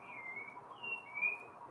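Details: A thrush (sabiá) singing at a window in Brasília after returning from the day before, two clear, sweet whistled phrases, the first level and slightly falling, the second rising and bright, over a soft low room hum.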